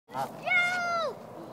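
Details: Goose at a park while being fed, giving one drawn-out nasal honk that holds steady and then drops at the end, sounding like a spoken "hello", followed by faint background noise.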